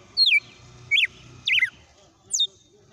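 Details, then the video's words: Red-cowled cardinal delivering a song sequence: four loud, clear whistled notes, each slurring sharply downward, spaced irregularly over three seconds, with a faint low rumble underneath. "Galo de campina na SEQUÊNCIA DE CANTO"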